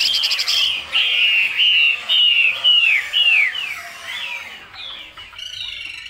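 A Chinese hwamei sings loud, clear whistled phrases, a run of slurred notes rising and falling about twice a second, high-pitched and ringing.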